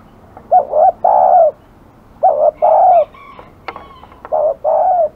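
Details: Aggressive village spotted dove cooing: three phrases, each a quick double note followed by a long, low, slightly falling coo, with a few faint higher chirps from other birds between phrases.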